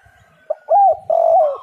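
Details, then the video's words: Spotted dove coo used as a lure for other doves. A short clipped note is followed by an arched coo and a long sustained coo that falls away. A faint steady tone sits under the calls. "derkuku super gacor suara angin Topan"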